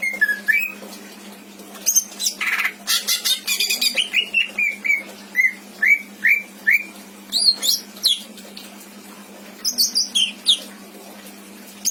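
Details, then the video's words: Pet greater green leafbird from Indramayu, prized for a full mimicked repertoire and kept to tutor other birds, delivers a long varied song of harsh buzzy bursts, series of downslurred whistles and high twittering phrases. "Burung cucak ijo isian mantap!!!"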